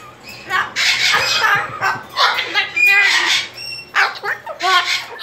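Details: Indoor pet cockatoo, a female, upset about going back into her cage, lets out a series of harsh, grating screeches, about five loud bursts separated by brief gaps, mixed with some chattering squawks.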